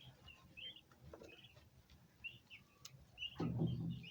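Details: Turkey poults giving high-pitched chirps, short peeps scattered irregularly through the clip, with a low thump of handling noise near the end.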